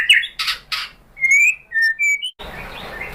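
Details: White-rumped shama song used to provoke a caged shama to answer: harsh buzzy notes, then clear high flat whistles, followed by hissing background.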